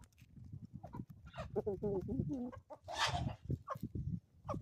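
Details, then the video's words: Homestead chickens in the Ozarks on a morning, making a quick series of stepped, harmonic clucks over low rumble, followed by a burst of broad hissing noise. "relaxing sounds and chickens from the homestead"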